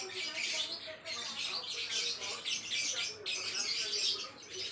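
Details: Java sparrow song as a model for training songbirds: bursts of dense, high, scratchy twittering separated by short pauses, with several calls overlapping.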